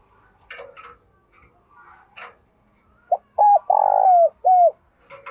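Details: In the morning a decoy spotted dove calls to attract wild birds. Faint chirps and scattered clicks come first. Then a clear cooing phrase follows: a brief note, two husky coos, and a long falling coo.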